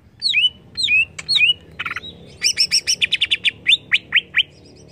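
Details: Greater green leafbird worked up by a lure, giving sharp downslurred whistles, a harsh buzzy note, then a fast run of repeated chirps and falling whistles at roughly two per second.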